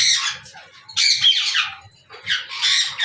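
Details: An Alexandrine parakeet (pahari parrot) gives harsh, raspy squawks in two loud bursts, each lasting about a second, with quieter chatter between them.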